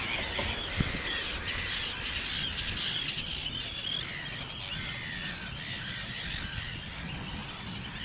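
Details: Breeding colony of Arctic terns nesting loudly screeching right beside the Eider barrage, a step from curious tourists, in 2013; overlapping harsh, grating calls from many birds sound continuously, with wind rumble underneath.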